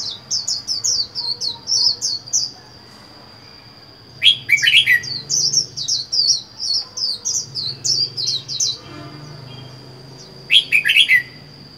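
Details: Lone caged red-whiskered bulbul, wild-caught and kept four months, delivers a long string of rapid, lilting whistled notes in repeated phrases, broken by two louder harsh warbled bursts, with a steady thin whine and soft room noise underneath.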